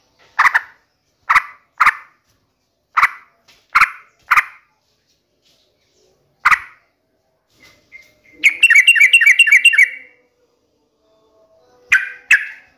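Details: Vigorous sooty-headed bulbul used as a lure to set a kept bird singing. Six rapid harsh chack notes, one more after a pause, then a bright bubbling warble of linked notes, and two final rasping notes.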